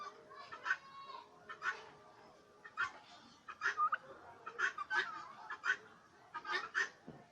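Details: Farmed turkeys in Bangladesh calling in short, harsh clucking bursts, several birds overlapping, with pauses of roughly a second between clusters; a steady low hum of farm background underneath.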